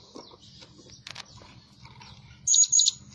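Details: Blue-crowned hanging parrot kept as a lure bird that calls day and night; after a quiet stretch with low hum and faint clicks, two short, sharp, very high squeaky notes ring out close together near the end.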